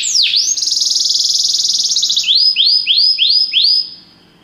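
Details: Belgian canary during song training: a dipping swoop, then a loud high buzzy trill, followed by five rising-then-falling whistled notes evenly spaced before fading.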